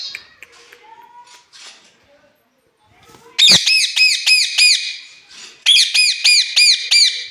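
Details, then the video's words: Angry pet parrot fighting with its keeper: quiet murmurs and faint sounds, then a burst of loud harsh arched squawks repeated rapidly, a pause, and a second burst of the same screeches. "parrot is angry 😱"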